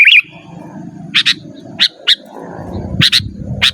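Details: Sooty-headed bulbul song meant to call rivals, pure without mixed-in phrases: a short liquid warble opens, followed by single and double clipped chirps against a low humming background.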